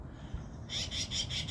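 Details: Yellow-billed magpie, one of three in a social family group with young birds in California, gives a quick run of about five harsh, raspy notes, evenly spaced, after a brief quiet start; low rumble in the background.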